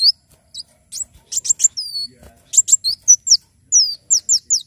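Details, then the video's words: Energetic Brown-throated sunbird song for tutoring birds and luring them to sing: fast bursts of very high chips mixed with thin, falling whistled notes, closely packed with short gaps between phrases. "Kolibri wulung gacor"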